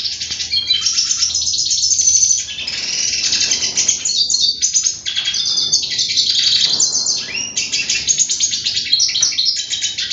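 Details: Unbroken, energetic hooded siskin song: dense twittering, scratchy trills and high whistled notes delivered rapidly for ten seconds, with a faint steady hum underneath.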